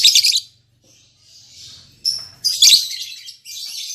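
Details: A freshly matched captive lovebird pair, albino MM male with lutino MM female, uttering rasping high squeaky chatter, loud at the start and again after two seconds, softer twitter in between.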